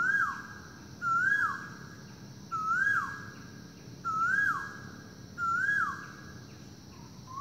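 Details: Loud Asian koel calls ringing through a forest in the morning: five strong rising-then-falling whistled notes at steady intervals of about 1.4 seconds, with an insect hum throughout.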